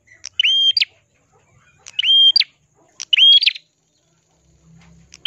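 An ashy prinia gives three bright, ringing phrases about a second apart, each a quick buzzy note followed by clear whistled slurs, high-pitched and loud.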